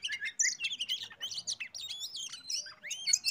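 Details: Oriental magpie-robin singing, used as a lure to make other birds sing: busy run of whistled slurs, squeaky chirps and harsh chatters packed closely together with barely any pause.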